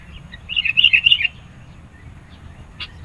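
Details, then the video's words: Sooty-headed bulbul in full persistent song, used for luring birds and challenging rivals: a rapid bubbling run of liquid whistled notes lasting under a second, then a single sharp click. "SUARA BURUNG KUTILANG GACOR NGOTOT. MENEKAN LAWAN, CEPAT RESPON.."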